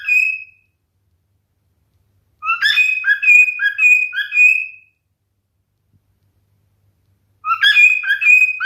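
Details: Male cockatiel singing: short bursts of clear whistled notes with sliding, warbling phrases, separated by silent pauses of a few seconds; no other sounds.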